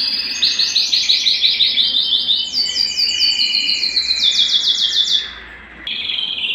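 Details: Canary in breeding excitement singing to court a female: long run of fast, rhythmic trilled syllables rising to a higher phrase, then a brief pause and a lower steady tone.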